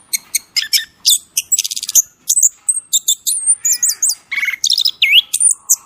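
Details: Rapid high chips open this masteran training song, followed by a buzzy rattle, looping whistled slurs and a clear V-shaped whistle near the end.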